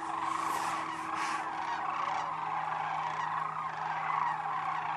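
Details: Wintering sandhill cranes at Whitewater Draw Wildlife Area, Arizona, after a bitterly cold night with thin ice on the pond; a dense chorus of overlapping rolling, bugling calls continues throughout over a steady low hum.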